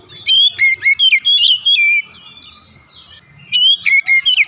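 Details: Oriental magpie-robin heard in the morning, pouring out rapid, melodious whistled notes that swoop up and down, falling silent for over a second before starting a new phrase.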